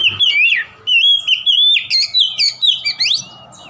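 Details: Oriental magpie-robin singing to provoke a rival, with rich, rapid whistles: a drawn-out sliding note, then a quick run of looping, rising and falling phrases that fade out at the end.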